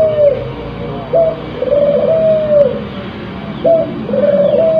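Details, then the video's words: Spotted dove, a crossbred bird in breeding condition, giving softer low coos over steady background hiss. Several phrases follow one another: a brief rising note, then a drawn-out, level, gently wavering coo, repeated about every two seconds. "Suara Burung Puter"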